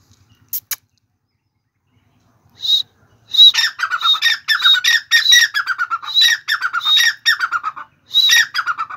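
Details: Black francolin (Francolinus francolinus) gives a loud, harsh, grating call of rapid scratchy notes, repeated steadily after two sharp clicks at the start.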